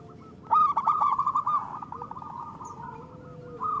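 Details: A local zebra dove, played as a lure for trapping and to encourage reluctant singers, gives a loud rapid trilled coo that fades into a softer rippling series, with faint coos from another dove.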